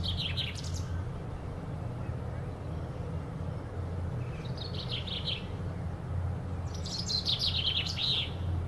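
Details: Common chaffinch in song in a garden tree at Powerscourt Gardens, delivering three bursts of rapid, high, tumbling notes spaced a few seconds apart, the last one the fullest. A continuous low rumble runs underneath.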